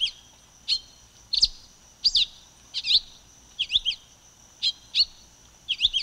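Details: Silver-beaked tanager giving clipped, high twittering note groups, some single, some in quick triplets, spaced under a second apart, over soft low background noise.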